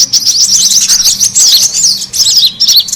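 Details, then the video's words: Brown-throated sunbird lure call for attracting birds: rapid squeaky twittering, a brief gap near two seconds, then more high, slurred chirps. "SUARA PIKAT KORLAP RIBUT"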